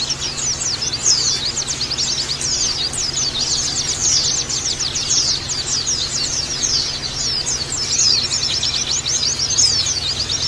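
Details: Many white-eyes (pleci) chirping at once in a crowded group chorus meant to provoke harsh chatter; thin, high, fast sliding tweets pile up in an unbroken busy stream over a low constant hum.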